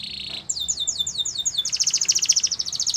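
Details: Canary training song: a brief buzzy note, then quick descending sweeps repeated about five times a second, turning into a fast, dense high trill.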